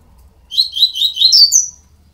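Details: High, rapid series of shrill chirps from 12-day-old double-collared seedeater nestlings, the notes running together and ending in a thin rising squeal.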